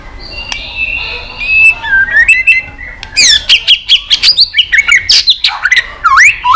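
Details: Shama competition song with many voices: sustained high whistles lead into a fast cascade of sharp, sweeping notes and chips, ending in a looping slurred whistle.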